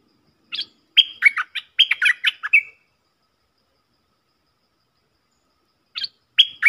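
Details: A stripe-throated bulbul decoy song with a long chortling phrase of tumbling, slurred notes ending on a flat whistle. After about three seconds of quiet, the same phrase begins again.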